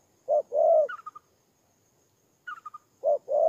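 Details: Spotted dove used as a ground decoy in Tumorong, Kon Tum, Vietnam, 23 September 2018; two soft coo phrases, short then long, separated by a pause, each preceded by a quick run of higher clipped notes.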